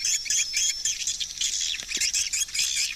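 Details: Hundreds of swiftlets maneuvering around a swiftlet house, giving dense overlapping high chirps and rapid clicking twitters that form a continuous chorus.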